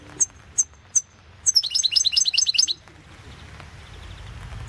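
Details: European goldfinch from a 2016 internet world championship of goldfinch song, Balkan goldfinch: three spaced thin high notes, then a rapid tumbling series of sweet twittering notes lasting over a second, followed by quiet.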